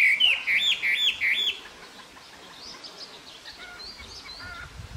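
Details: Taiwan hwamei in Jianshi Township, Hsinchu, Taiwan, April 2024, giving four loud, rich, looping whistled phrases in quick succession, followed by fainter high notes from other birds in the background.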